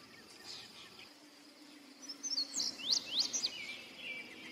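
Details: Indigo bunting singing a short burst of sharp, high, steeply slurred notes, several falling and rising quickly in pairs, over a steady insect drone.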